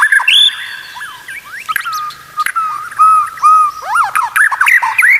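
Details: Shama master song for coaching other white-rumped shamas: mellow whistled notes mixed with sharp high chips and quick rising-falling slurs.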